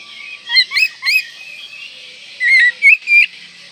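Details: Oriental magpie-robin in breeding condition, singing to provoke rivals: two bursts of three loud, clear whistled notes, each sliding and rising, over a steady high hiss.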